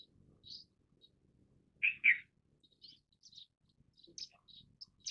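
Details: Indian silverbill uttering a quick pair of harsh chirps. Scattered thin, high tweets and brief twitters follow, with faint low rumbling underneath.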